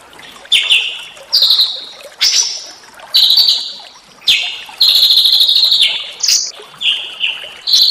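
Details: Masteran of small birds in natural surroundings, intended to stir white-rumped shama: loud, rasping high phrases that slur downward, repeated roughly every second with short gaps between them.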